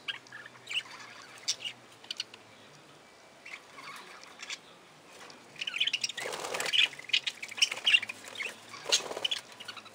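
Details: Aviary budgerigars give sparse, thin chirps that build into a dense, scratchy chatter of overlapping squeaks in the second half, possibly with wing flutters mixed in.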